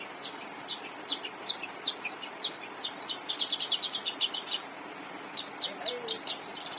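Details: Active long-tailed shrike song used to train cage songbirds; rhythmic sharp chirps accelerating into a quick burst, a pause, then renewed chirping.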